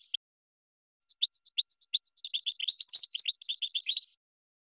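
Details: Goldfinch training song for cage birds, opening with spaced single high chirps about every quarter second, then speeding into a rapid, jangling twitter before ending.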